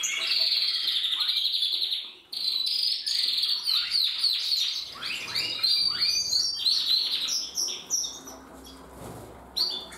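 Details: Several canaries singing together: dense, high, rapid trills and rolling warbled phrases with quick downward-sweeping notes, a brief break near two seconds, then overlapping bright chirps and buzzy rolls continuing to the end.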